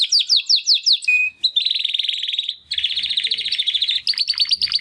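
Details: Young Timbrado canary brothers from the second 2020 breeding practise singing after their first molt: a series of quick descending notes, a short steady whistle, then long rolling trills and clipped swooping notes.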